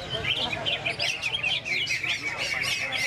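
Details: Greater green leafbird, a male competition bird at a songbird contest in Indonesia on 26 February, pours out a fast, continuous run of bright, chattering and whistled notes, varied and high-pitched, over a low murmur of crowd noise and other birds.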